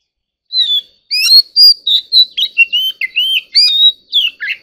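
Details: Competitive song of a white-rumped shama: after a brief silence, clear looping whistles, some up-slurred and some down-slurred, delivered in quick varied phrases, with no other sounds.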